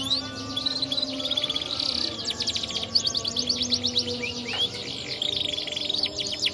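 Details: Crossbred canary (Red mosaic x Waterslager) delivers continuous warbling song: dense high trills, a held whistled tone, then quick rattling series and one sweeping rising note, with low background hum.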